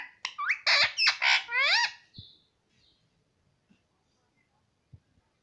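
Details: Pet parrot talking, said to repeat "papa" and "mummy" nonstop: a quick string of squawky, voice-like syllables over about two seconds, then a short note and quiet room.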